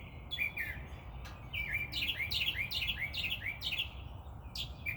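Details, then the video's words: Unidentified bird chirping in a tree in the morning: a run of repeated downslurred high chirps, several per second in bursts, over a steady low background hum. "Birds Annoying Chirping"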